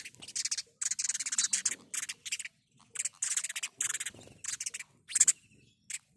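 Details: House sparrow calling with dense bursts of sharp, high chirps. The bursts come in clustered runs separated by brief pauses across the whole stretch.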